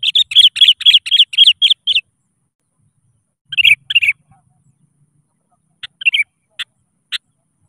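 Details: A sooty-headed bulbul calls to a rival, a lure to prompt reluctant birds to sing. It opens with a rapid run of about nine chirpy notes in two seconds, then gives two bubbly phrases and scattered sharp single notes.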